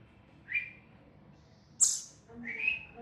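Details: Indian robin chick inside a house, giving three brief chirps over three seconds: two burry mid-pitched notes around a sharper, higher squeak, against a quiet indoor background.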